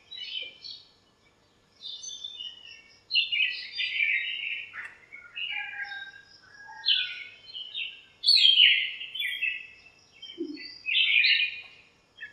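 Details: Birds in a backyard lemon tree on a sunny morning, chirping and squabbling; a run of short, descending twittered phrases repeated every second or so, with a few lower notes.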